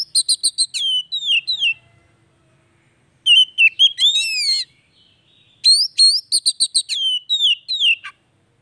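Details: Oriental magpie-robin, the kacer, singing to rouse a stalled bird: quick bursts of short upslurred whistles, descending slurs and twisting phrases in three bouts separated by brief pauses.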